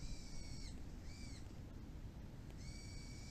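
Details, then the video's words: Birds calling after rain stops near a neighbourhood plum orchard in bloom season, a Shiba Inu dog listening: three drawn-out, slightly arched, harmonic notes, each under a second, with a steady low background rumble. "鳥の鳴き声 Chirping of birds"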